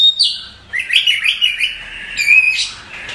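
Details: Oriental magpie-robin (Copsychus saularis) calling at night: quick, varied chirps and sweet whistled notes, some rising and some sliding down, in an irregular burst with short pauses.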